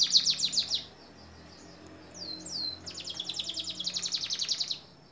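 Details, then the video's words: Canary song from a long training recording for songbirds: fast high repeated trilled notes, a pause, two slurred whistles, then a long even rapid trill, over steady low background hum. "Masteran kenari durasi panjang"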